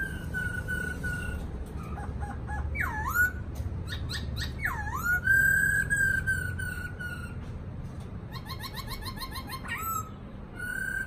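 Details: Caged black-throated laughingthrush giving a varied song: level pure whistles, two loud swooping notes dipping and rising, and bursts of rapid clicking, stuttered notes between them, recorded indoors.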